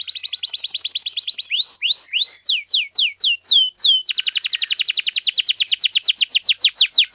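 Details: Canary in strong, sustained song: rapid buzzy trills, then a run of slurred rising whistles, then another fast trill, all high-pitched and loud with no other sounds.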